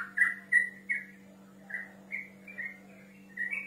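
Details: Yellow-vented bulbul male calling a rival, with loud clear whistled notes at first, then softer, slightly rising whistles spaced irregularly. A constant low hum runs underneath.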